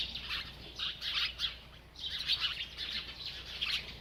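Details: A bird keeps twittering while eating, two bursts of rapid high chirps split by a short quiet pause near two seconds.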